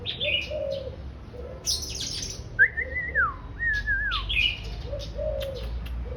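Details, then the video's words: Oriental magpie-robin just coming into breeding condition, singing pleasantly: bright whistled notes near high pitch, then two clear slurred whistles falling at the end, with a pigeon-like low coo repeating throughout the background. "Choè than chớm lửa hót chép vui tai"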